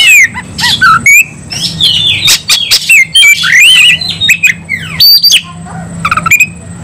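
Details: An Oriental magpie-robin in fighting song: fast sequences of slurred whistles, scratchy chatter and sharp bursts, with a faint low hum underneath.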